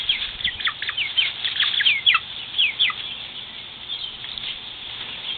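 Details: Frightened farm chicks give high, sharp, down-slurred peeps in irregular bursts, several overlapping, over steady background hiss.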